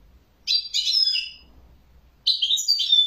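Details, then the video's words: European goldfinch song: high, tinkling twitters and buzzy trilled notes in two quick bursts, the second ending in a thin whistle. "تغريد جميل لطائر جميل"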